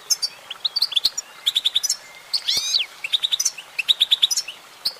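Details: Female goldfinch delivering fast, repeated high chirp clusters, with a nasal, sliding twang in the middle before the twitter resumes.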